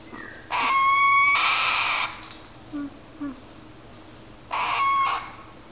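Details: Two young galahs waiting for breakfast, one closer to weaning, give two harsh, rasping begging screeches, one long and one shorter a few seconds later, with faint soft squeaks in between.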